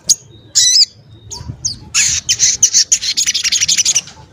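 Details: Crimson sunbird with a voice called dense, sharp and varied, giving a couple of harsh high squeaks, then breaking into a fast, buzzy chattering trill of shrill notes lasting over two seconds. Faint low rumble behind it.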